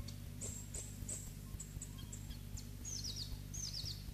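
Black-throated bushtit gives very high, thin, short notes about every third of a second, then two quick descending twittered runs, over a steady low rumble.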